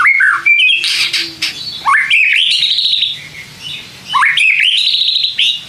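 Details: Provoking lure song of a white-rumped shama aimed at lazy singers: loud whistled phrases that rise sharply and then hold wavering high notes, three phrases within a few seconds, with buzzy tones in between.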